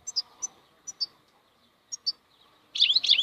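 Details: European goldfinch (maknine) singing in the khalwi style: scattered high, thin chirps in pairs, then a dense burst of jangling, twittering notes at the end.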